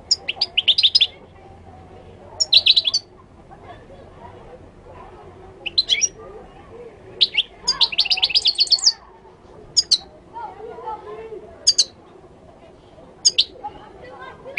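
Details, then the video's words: Moroccan goldfinch song. Repeated jingling bursts of rapid twittered notes, some long and dense, others short single chips, are spread across the recording over a low murmuring background. "تغريد الحسون المغربي chant de chardonneret marocain"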